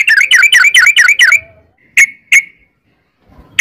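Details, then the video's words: Yellow-vented bulbul singing a long rapid trill: a quick series of bubbling, slurred notes, then silence broken by two isolated sharp chirps and the start of another phrase. "trucukan gacor ROPEL PANJANG"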